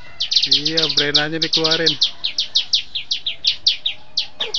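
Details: Bar-winged prinia (ciblek putih) kept in a cage and trained for bird contests, giving a quick string of crisp, high, downward-sweeping chips at an even beat, with a low droning hum beneath the first two seconds.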